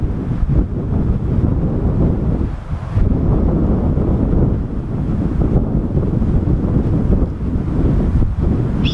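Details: Strong gusting wind buffets the microphone throughout, with no animal calls.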